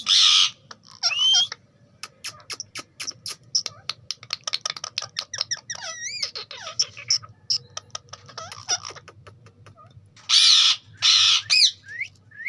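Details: Pet ringneck parrot producing fast clicking chatter and squeaks, with loud harsh noisy screeches at the start and near the end.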